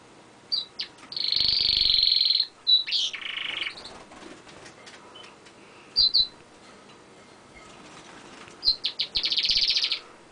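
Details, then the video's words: A pet canary singing on a window ledge gives bright, high chirps and long rolling trills, with a lower buzzy roll and pauses between phrases. "the canary sings"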